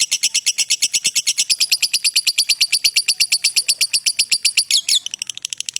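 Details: Lovebird in a long ngekek trill meant as training master audio: fast, regular, shrill pulsed notes for nearly five seconds, ending in a short upward squeak and quieter chatter.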